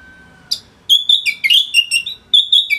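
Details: Orange-headed thrush singing continuously for songbird training: a fast, rolling sequence of warbled whistled notes with shifting pitch, closely packed and lively.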